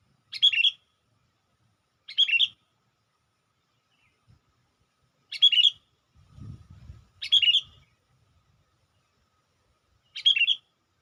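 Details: Sooty-headed bulbul lure call used to attract wild bulbuls: short, bright chattering phrases repeated about every two to three seconds, five bursts in all, with a faint low rumble between them.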